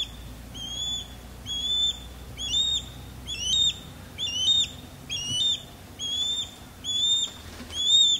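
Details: Male osprey sky-dancing low over a backyard while the female calls loudly from a longleaf pine; a long run of strident rising whistles, about one per second, evenly paced and strong throughout.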